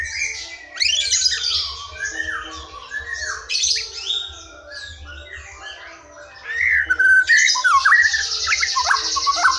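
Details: Forest white-rumped shama singing, a recording meant to provoke silent or untrained young shamas into song; rich sequence of swooping whistles, chattering trills and harsh rasping phrases, with a low hum underneath.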